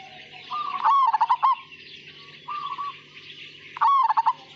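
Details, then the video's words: Majapahit-style zebra dove singing a sweet cooing phrase. It starts with a soft drawn note that breaks into rapid pulsed coos, then a short quieter coo and a renewed burst, with faint twittering and a low hum behind. "Suara Panggilan Burung Perkutut Majapahit Asli Gacor Dan Ngayer"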